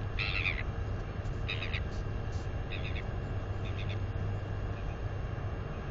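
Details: Royal albatross chick, 218 days old, exercising its wings near the nest and letting out squeals; a string of short, bright bursts that fade in strength, spaced roughly a second apart, with constant low wind noise.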